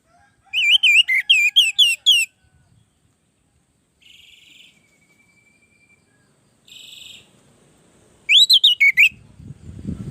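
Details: Orange-headed thrush singing as a tutor and lure recording: a rapid string of looping whistles, a pause broken by short buzzy rasps, then another fast whistled burst, ending with low rustling noise.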